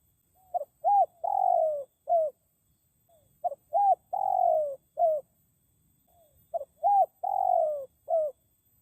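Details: Spotted dove calling from a forest lure recording meant to draw in wild birds. Three identical cooing phrases follow one another steadily: brief note, arched coo, long falling purred coo, closing coo. No other sounds are heard.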